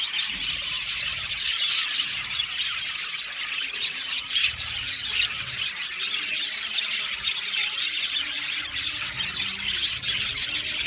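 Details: Budgerigars, an Australian budgie colony kept in an aviary, singing and chirping together: a dense, unbroken wash of high squeaky chirps and warbling chatter from many birds at once, with no pauses.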